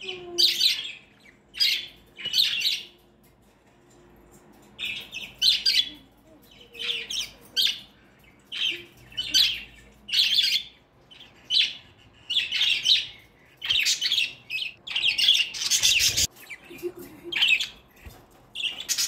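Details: Budgerigar family, with a male feeding the chicks, gives bursts of raspy, high chirping and squawking repeated every second or so.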